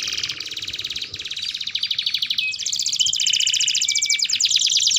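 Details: Canary singing as a training lure for young canaries learning song: long rapid buzzy trills, switching between rolls of different speed, with brief pure whistled notes near the middle.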